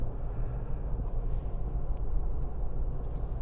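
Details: Steady low rumbling engine noise fills the recording, with a few faint clicks and no animal calls.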